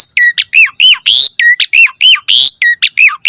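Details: Asian pied starling singing a 'mompa' variation for a starling training recording: arched whistled notes repeated about twice a second, with loud hissing, buzzy bursts breaking in every few notes.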